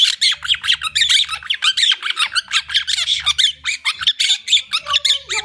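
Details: Monk parakeets, or quakers, in a noisy mood: harsh, raspy squawks repeated rapidly several times a second in a continuous chattering stream, with a low background hum.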